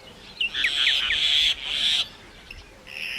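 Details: Myna calling: a few short rising whistled notes, then harsh hissing rasps that sound twice and cut off abruptly, with a faint background hiss throughout.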